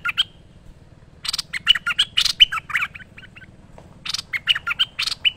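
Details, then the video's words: Energetic song of a merbah lekir bulbul recorded as a training master: a lone opening note, then chattering phrases of quick gurgles and bright whistles, with a faint low hum beneath. "Merbah Lekir Gacor Masteran Terbaik"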